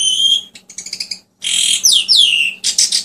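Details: Asian pied starling gives a clear high whistle and stuttering clicks, then loud long downward-sweeping whistled slurs over a rasping background, ending with a harsh burst.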